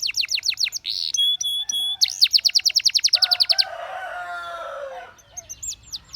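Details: Canary song used to coax other canaries into singing for training: fast rattling trills of descending notes, a buzzy burst and pure whistled tones, then a lower noisy warble and brief high sweeps at the end.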